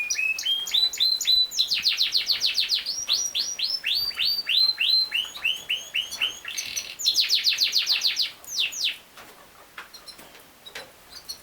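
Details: Yorkshire canary, also known as king size canary, singing a fast, varied song of high rolling trills, with rapid repeated notes in tours that shift pitch every second or so, ending in quieter scattered chirps.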